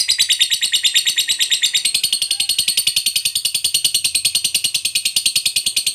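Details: Long ngekek trill of a lovebird, played to stimulate quiet birds into song: an unbroken high, buzzy, machine-like rattle of very fast repeated notes lasting the full six seconds, dipping slightly in pitch partway through.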